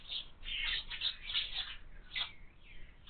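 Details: House sparrow chicks begging at a window feeder, calling in a dense, insistent stream of harsh high chirps that blur together, with brief pauses between bursts.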